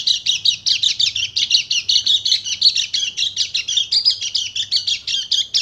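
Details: Dakun white-eye from Bali, in 'nembak' rapid-fire song used to provoke other birds into singing: an unbroken run of fast, high, chattering notes, almost three per second, slightly rising and falling throughout.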